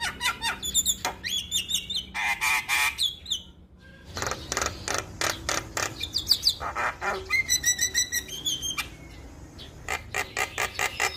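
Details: Energetic male Javan myna song, played to prompt other mynas to sing, packed with rapid creaky chatter, buzzy trills and interspersed whistles, almost continuous.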